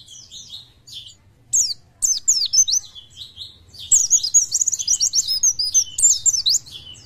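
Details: Oriental white-eye, fit and singing freely, starts with soft high chirps, then breaks into loud, fast twittering phrases of sharp slurred notes packed closely together, over a light low hum.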